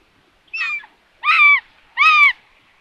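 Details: A solar-powered live nest camera in Tiszalök, Hungary, records common buzzards during a food delivery to an empty nest on June 21, 2022. Three short, hoarse, harmonic calls, the last two louder and level-pitched, in a quiet background.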